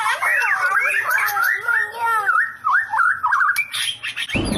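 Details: White-rumped shama in 'sambaran listrik' (electric strike) song: continuous, loud, varied warbling phrases with looping slurred notes, quick zigzag whistles near the middle and a harsh burst at the very end.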